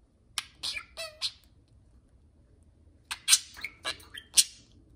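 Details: Two house budgerigars chattering to each other during indoor free flight: a burst of harsh squawks and a short whistle, a pause, then another loud scratchy burst.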